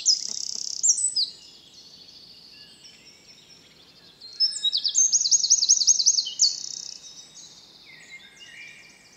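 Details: Northern wren of the nominate subspecies singing in Brussels, Belgium, in April 2020: loud, very high, rapid phrases of sharp notes and fast rattling trills, a brief quieter gap, then another burst with a zigzagging trill, over faint background noise.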